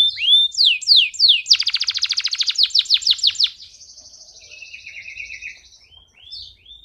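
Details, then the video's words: Excited male canary in full song, used to tutor young birds and arouse hens: swift rising whistles, a fast loud rattling trill, then softer high buzzy rolls and thin slurred notes. "اقوى تغريد ذكر كناري حامي نار 🔥 ولا اروع للتسميع صغار الكناري وتهيج الاناث"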